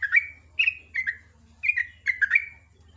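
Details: Ropel ngecruk morning song from a sooty-headed bulbul: lively, fluty notes falling in pitch, grouped in pairs and triplets, with a constant low mechanical hum behind.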